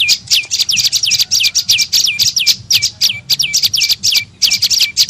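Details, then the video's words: Prenjak lumut (tailorbird) lure call used to attract birds: rapid, high chattering notes, each dropping sharply into a short flat tail, repeated about four times per second in uneven bursts. "SUARA PIKAT BURUNG PRENJAK LUMUT"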